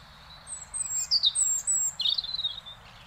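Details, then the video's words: A European robin sings in the Netherlands, with thin, very high whistled notes followed by rapid twittering flourishes, two short phrases in three seconds over a faint low hum. "One Hour Relaxing Birdsong: European Robin"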